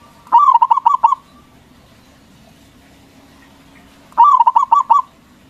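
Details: Local zebra dove in strong voice, singing to stir competing doves to reply. Two separate bursts of fast, rolling coo notes arrive about three seconds apart, with quiet low hum between them.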